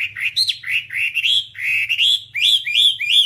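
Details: Whambie singing for a tutor recording meant to train caged birds, with a steady stream of clear, arched whistled notes, several per second, each sweeping up and then dropping.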